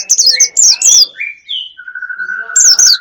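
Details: A bird lure for wild birds, with sharp descending high notes, a short mid-pitched whistle and a long level whistle, then more falling high notes.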